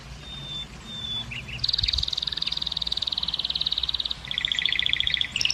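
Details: Canary song used to stimulate females to mate. A few faint thin whistles lead into a long, even, high rattle of rapid notes, then a slightly lower rolling trill.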